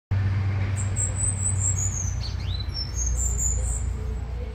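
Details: Cuban grassquit (tomeguín) in Miami, USA, 2022, singing the complete negrito-style song: a thin, very high buzzy trill lasting several seconds with a brief dipping note, over a loud low rumble of traffic.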